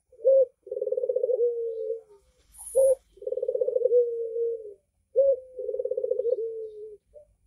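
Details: Three phrases from a red-eyed Barbary dove, each a short clipped note followed by a vibrating, trilled coo that glides down into a smooth tail. They come roughly every two and a half seconds, and one faint click is heard.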